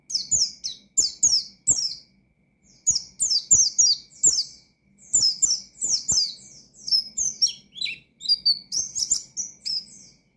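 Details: Energetic Oriental white-eye song used to challenge and stir up rival white-eyes. Bright, high-pitched twittering phrases of quickly falling notes repeat in bursts about a second long, with brief gaps between phrases.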